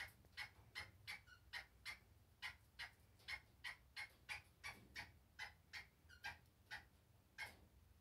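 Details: Black francolin from a breeding pair gives sharp, harsh, clicking notes about three times a second in an uneven run, over a low background hum.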